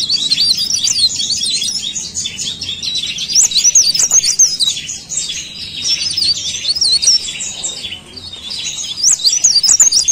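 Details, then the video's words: Rapid, nonstop leaf warbler song: dense high twittering made of short looping whistles and ticks, about three or four notes a second, hardly pausing over ten seconds. "CIKRAK DAUN GACOR"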